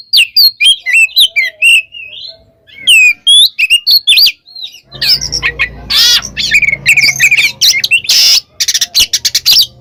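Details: Oriental magpie-robin singing in the ngeplong style, calling a rival: loud whistled notes and quick slurred phrases, then a dense, harsh, buzzy rush of overlapping notes over a low hum in the second half.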